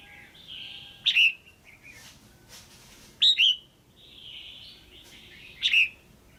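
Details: Red-whiskered bulbul female calling to stimulate a male or for pairing: three loud slurred chirps about two seconds apart, with soft warbling between them.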